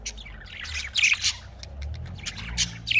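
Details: Budgerigars in a breeding cage, called Australian parrots, chatter with short squeaky chirps and scratchy notes over steady low background rumble.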